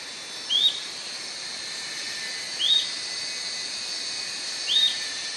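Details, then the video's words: Atlantic royal flycatcher singing: three short, bright whistled notes that slur upward, spaced about two seconds apart over a steady high hiss of background noise. "Canto da MARIA-LEQUE-DO-SUDESTE"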